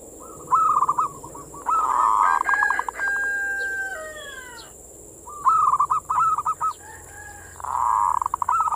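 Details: Zebra dove (perkutut) singing in manggung style, played as a lure to stir breeding mood in local zebra doves; bubbly trilled coos in bursts separated by pauses, with overlapping coos from a second bird and a steady high hiss behind.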